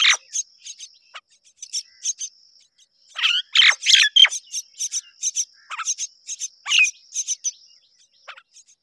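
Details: Both myna parents tending their babies together. Loud, grating chirps and harsh chatter build into a busy rush, then thin out into scattered short notes, with a steady thin whine persisting in the background.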